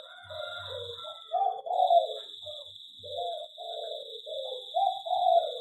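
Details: In an aviary, a local perkutut or zebra dove delivers several short, mellow, throaty coo phrases, each slightly wavering in pitch, over a faint continuous high-pitched hum.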